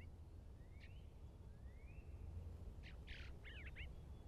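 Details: A bluebird at nest box #1, recorded 2 March 2023, gives soft rising whistles, then a quick burst of warbled chattering notes, over a steady low outdoor rumble.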